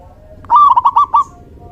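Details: Male local zebra dove, song used to lure doves: a single brief phrase of five or six quick, slightly wavering cooing notes run together in under a second.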